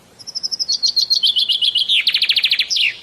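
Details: Common myna in Bangladesh, locally shalik: short high chirps come at a steady beat and speed up. They merge into a fast, buzzy rattle and end on one sharp down-slurred note.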